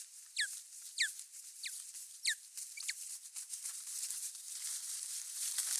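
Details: Female osprey at the nest, filmed by a nest camera on 27 April 2022, giving five sharp, steeply descending whistled notes about every half second, then fading into rustling and hiss.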